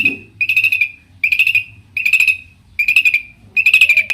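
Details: Varied song of a long-tailed shrike (cendet), used to goad rival shrikes into singing back. Short buzzy, rattling bursts on one steady pitch repeat about every three quarters of a second, with quiet gaps between.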